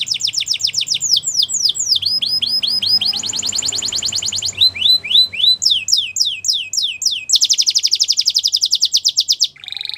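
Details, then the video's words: Belgian canary singing a long varied song: rapid trilled series of downward-sweeping high notes alternating with fast buzzy rattles, each phrase of repeated syllables lasting one to two seconds, clean with faint low background hum. "Belgian Canary | Bird Sounds | Canary Singing"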